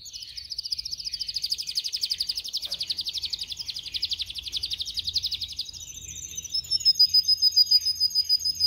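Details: Canary song used for training canaries to sing: a rapid buzzy trill of rolled notes held for about six seconds, then a brighter, higher phrase of ringing repeated notes.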